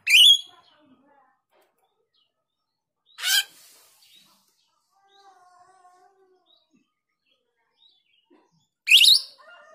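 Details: Female grosbeak starling (jalak rio) calling as a lure: three loud, harsh, rasping bursts spaced several seconds apart, with quiet faint tones between them.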